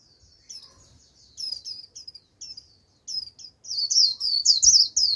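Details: High twittering white-eye notes, at first soft and scattered, then building into loud, rapid down-slurred chirps, as a decoy bird calls in a wild flock that answers with líu song.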